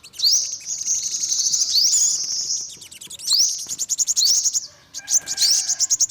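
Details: Olive-backed sunbird delivering long, shimmering high trills, each opened by a fast rising sweep, with a short break near the end.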